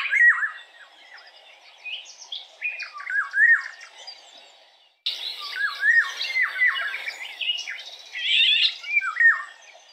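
Eurasian golden oriole giving short bursts of fluty, yodelling whistles that swoop up and down, mixed with scratchy harsher notes, in two stretches with a brief silent gap.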